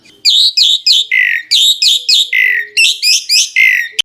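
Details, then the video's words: Asian pied starling singing in 'gacor full isian' style: a regular series of about twelve harsh, buzzy notes in pairs, roughly three per second, after a brief quiet start, ending in a sharp click. "burung jalak suren gacor, burung jalak suren gacor full isian"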